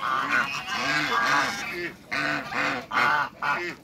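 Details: Loud, brassy honks from a pair of giant African geese kept in a backyard with other waterbirds; several drawn-out calls about half a second to a second long, separated by short pauses.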